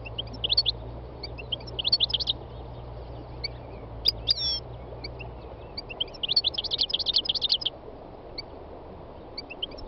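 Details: Wild-type song of a three-year-old North African goldfinch on a spring day in the north-west mountains of Tunisia: scattered high chirps, then a dense bright twittering burst, with other wild birds such as greenfinch, serin and nightingale singing nearby.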